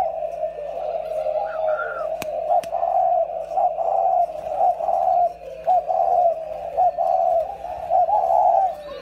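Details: Low, mellow cooing from a pair of caged decoy spotted doves, repeated in short rounded bursts about once a second, with two sharp clicks and a brief higher whistle early on.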